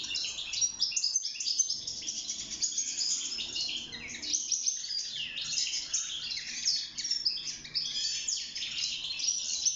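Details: Caged wild European goldfinch in breeding song for mating and nest building; long, lively stream of rapid tinkling and twittering notes with buzzy trills, a couple of short breaks.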